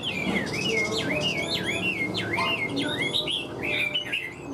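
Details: Caged hwamei described as a very fine singer and strong fighter, with a stiff fig-leaf tail: rapid run of loud, clear whistled phrases sliding up and down, each note swooping, delivered continuously with slight room noise.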